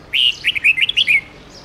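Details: Red-whiskered bulbul singing a forest-style song, played for training young birds to learn it, with phrases of 9-11 notes: a quick run of about eight clear, warbled whistled notes over one second, rising and falling, then silence.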